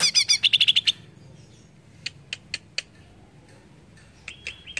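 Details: Provoking song of a greater green leafbird opens with a rapid scratchy warbled burst, followed by sparse sharp clicks and a brief high whistle at the end.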